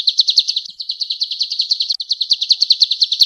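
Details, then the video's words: Male golden-bellied gerygone singing vigorously, a master recording for teaching cage birds: an unbroken stream of rapid, high, piercing notes, roughly six per second, with a brief hitch midway. "SUARA BURUNG CIU KUNYIT JANTAN GACOR"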